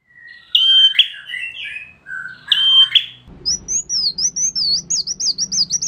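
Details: Bar-winged prinia kept for song competition: two ringing high phrases with lower twittering, then a rapid run of quick, high, wavering chirps delivered several per second over a low background hum.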